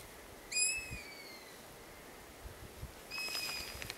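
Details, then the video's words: Long-eared owl chick begging for food, with begging siblings around it in the terrain: a thin, high, drawn-out squeaky whistle with a slight downward slur, then a second fainter, more distant one about two and a half seconds later. "Hornuggleunge som tigger efter mat"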